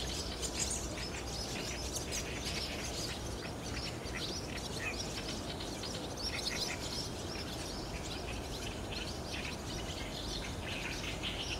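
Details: Roost gathering of barn swallows, cloudy 30 June 2019, filmed on a DSLR; a continuous mass of high-pitched chattering chirps, some notes higher and thinner, over a persistent low background rumble.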